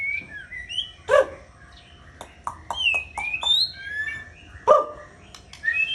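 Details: White-rumped shama giving varied whistles and chirps broken by loud sharp clicks and knocks, phrases short and scattered, with a steady low hum behind.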